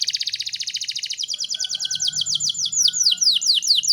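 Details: Canary tutor song for young birds: a rapid, even high trill of pulsed notes gives way to slower, sweeping downslurred whistles, with faint low background hum.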